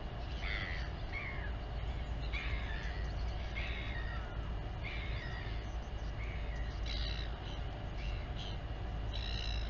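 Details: Royal albatross mother feeding her chick at the Taiaroa Head colony near Dunedin, New Zealand, filmed by a live nest camera; a series of short, harsh, harmonic calls comes about once a second over a steady roar of wind.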